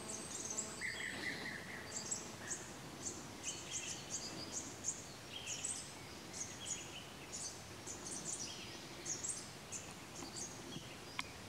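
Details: Chestnut-crowned warbler (Phylloscopus castaniceps) in Neora Valley, West Bengal, India, March, giving thin, very high chips and short twittering notes every half second or so, with a brief lower buzzy phrase over steady forest hiss.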